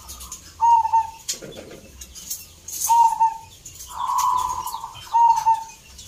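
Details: Zebra dove in a perkutut singing competition at Salatiga, Central Java, Indonesia: short clear whistled coos repeated every couple of seconds, one longer purring rolled phrase between them, and faint crowd sounds.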